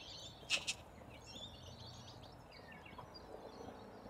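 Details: A large flock of corella cockatoos feeding on root grass in Australia; a brief loud harsh double screech near the start, then scattered high chirps and chatter from the flock over steady outdoor background noise.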